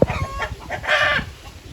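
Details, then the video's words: Hen cackling while laying an egg, a run of short harsh clucks rising into a louder, drawn-out squawking note near the end. "Guys, tingnan nyo yung sound ng manok."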